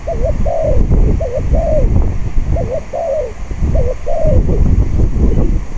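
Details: Spotted dove used for decoy-cage luring on a gusty day: four clear two-part phrases, a quick looped note then a wavering falling croo, about one per second, with loud buffeting wind.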